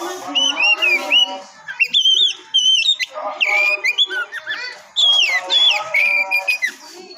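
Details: Oriental magpie-robin (kacer) singing to provoke other birds, with clear, loud whistled phrases, upward and downward slurs and buzzy chatter in quick bursts separated by brief pauses.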